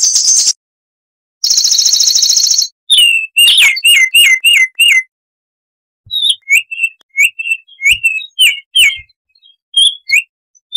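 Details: Wild Baltimore oriole in a 'tembakan' style song: two harsh buzzy rattles open, then a run of crisp whistled notes, each dropping in pitch, repeated in rapid clusters with short gaps.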